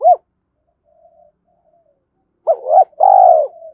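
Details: Spotted dove cooing in the thổ style to excite a decoy: one short arched note, near silence with faint murmurs, then a quick pair of hooked notes and a long trilled coo sliding downward.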